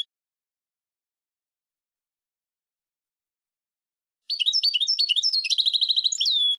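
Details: European goldfinch singing: after a long silence, a quick two-second run of bright, tinkling twitters and liquid trills, densely packed notes ending on a clear drawn-out whistle.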